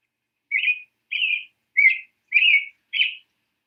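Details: American robin from the Boston area giving five warbled, whistled phrases at an even pace, about one every half second, each a brief rich carol with no other sounds.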